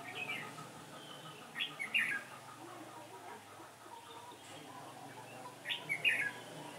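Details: Red-whiskered bulbul decoy bird singing at a trap on 15 October 2017, a day of changing wind; two short bright whistled phrases with a quiet gap between them, over faint background noise.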